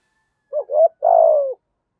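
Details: Part of a spotted dove's 'giọng thổ' coo used to call wild doves in: two quick rising notes, then a long, rough coo that slowly falls in pitch before stopping.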